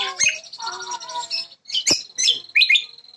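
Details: First-place Jambu bird from West Nusa Tenggara gives harsh squawky notes, then sharp chirps and a short twittering phrase at high pitch over a steady thin tone.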